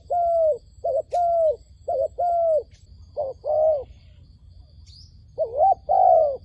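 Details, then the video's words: Decoy dove in a trapping setup calling toward wild doves: series of mellow coos, short clipped notes alternating with longer sustained ones, a faint click and a brief high chirp in between. "ឱ្យតែជួបលលកព្រៃ ធ្នាក់ហៅបរសឹងដាច់ខ្យល់"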